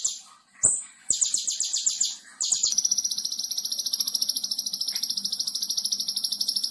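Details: Konin singing in a training recording for other songbirds, with tembakan bursts: scattered sharp notes and short trills first, then a long steady high trill of rapid even pulses, with faint clicks in the background.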